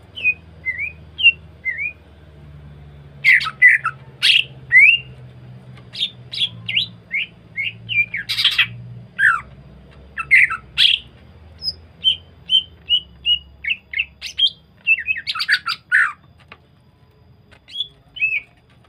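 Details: A greater green leafbird used as a lure to make other leafbirds start calling sings a lively run of sharp chirps, squawks and slurred whistles.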